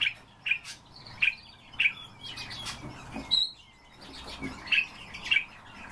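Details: Common starling, a kept bird, giving short harsh chirps and clicks repeated about every half second, mixed with brief high whistles and faint scratchy notes between.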